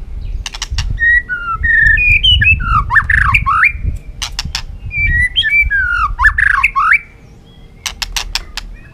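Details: Agitated caged white-rumped shama singing to provoke a rival into a singing contest: two rich warbled phrases of looping, slurred whistles, each framed by sharp snapping clicks, with a low room rumble beneath.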